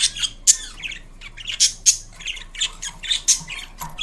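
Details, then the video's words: Pet Indian ringneck parakeet making different sounds: sharp high squawks alternating with softer warbling chatter, repeated irregularly about every second, recorded inside a small room. "Indian Ringneck Parrot Making Unique Sounds"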